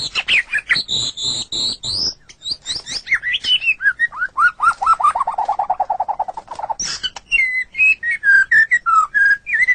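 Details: White-rumped shama song used to train captive songbirds: rapid chatter and high whistles, then a fast trill of repeated notes for about three seconds, followed by clear spaced whistles.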